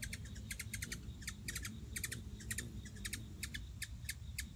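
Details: Chirping hummingbirds, 9 September 2016, giving clusters of dry, high, clicking chips in rapid doubles and triples, with short gaps between bursts and a constant low rumble underneath.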